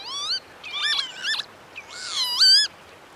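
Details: Northern lapwing, a crested black-and-white wader of open habitats, producing a rapid run of nasal, wheezy upswept notes, overlapping and strained.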